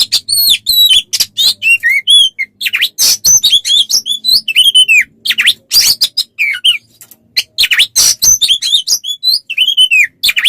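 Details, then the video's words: Training song for Oriental magpie-robins: a long, continuous medley of harsh chatter, sharp clicks and warbled whistles that bend downward, varied throughout and barely pausing over ten seconds. "Masteran untuk burung Kacer"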